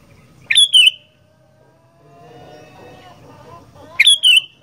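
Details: Sooty-headed bulbul singing 'gacor fighter' style: a pair of strong, piercing whistled notes, a pause with soft background murmur, then another matching pair.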